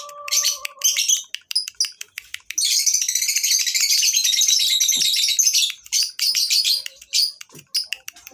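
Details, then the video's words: Lovebirds at a breeding farm chatter in shrill, high, buzzy trills and rapid sharp chirps, with a long dense burst of scratchy twittering from several birds and a faint low hum at the start. "SUARA LOVE BIRDS"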